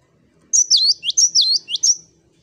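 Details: After a short quiet start, a cinereous tit sings its 'wucit wucit' song: about three rapid high phrases of piercing downslurred whistles, evenly spaced and loud.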